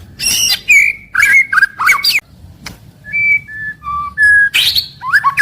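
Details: Daily song of a caged white-rumped shama, morning to evening: clear, sustained whistled notes at shifting pitches mixed with buzzy bursts and quick slurred phrases.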